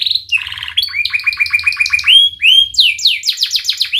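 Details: Canary (Serinus canaria), song: tutor song to teach young canaries to sing.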